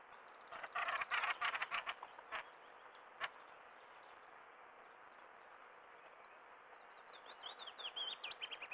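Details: Fieldfares by a river flying past close by: a harsh rattling chatter of rapid clicking bursts in the first two seconds, a lone click, then thin high chirps toward the end over steady background hiss.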